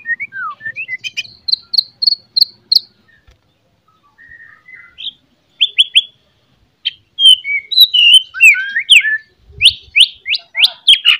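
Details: White-rumped shama morning song for pumping up shamas that lack fighting spirit. Bursts of fast clear chips and short whistles are separated by a quiet gap, then a dense, lively flurry of sharp notes about three per second.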